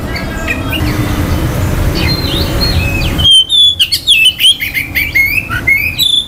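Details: Faint distant whistles over a rumbling background, then an Oriental magpie-robin bursts into loud, varied song of sweet slurred whistles and scratchy chatter. The song is meant to excite rival males' aggression and breeding urge.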